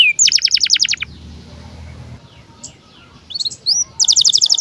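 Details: Canary in breeding condition giving birahi chirps meant as tutor song for young birds: rapid trills of high sharp notes, a quieter stretch of faint chirps, then the trill returns.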